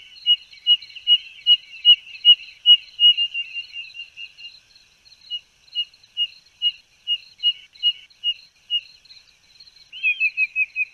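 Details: High whistled piping from a spotted nothura of Brazil: a fast string of notes that gradually slows to evenly spaced single peeps, then a brief quick burst at the end, all over a faint constant high hum.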